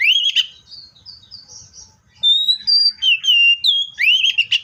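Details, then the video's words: Seychelles magpie-robin singing a bold rising whistle, then softer warbled notes. A run of clear, evenly pitched whistles follows, ending in another loud upswept slur. Faint low rumble underneath. "COPSYCHUS SECHELLARUM BIRDS SOUNDS LIKE IN NATURE LOUD CLEAR SOUNDS"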